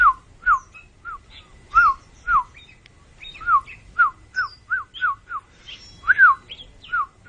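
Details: Oriental magpie-robin repeating short whistled slurred notes at a quick irregular pace, with a few fainter higher chirps between them and low rumble behind.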